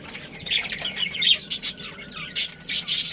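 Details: Budgerigars, a pet breeding pair, with short harsh chirps and squawks scattered through the clip, bursts growing louder near the end, and a faint steady whine underneath.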